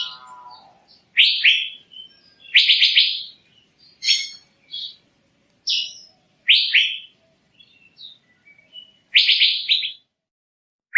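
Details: Male Asian fairy-bluebird, lure call: a rapid sequence of loud scratchy, buzzy bursts and sharp chips at uneven intervals, with quiet gaps and a faint lower warble at the start.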